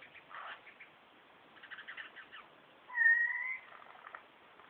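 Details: Superb lyrebird singing from behind bushes, running through a repertoire that mimics birds such as kookaburra, whipbird, whistlers and magpies plus a laser gun: soft scratchy notes, then a loud, clear, slightly rising whistle lasting under a second, followed by quieter chatter.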